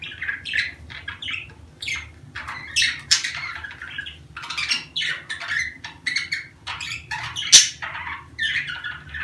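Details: Mating-season chatter of budgerigars, used to prompt females to lay eggs: busy, uneven run of short squeaky chirps and buzzy notes, one sharp click-like burst, low hum behind.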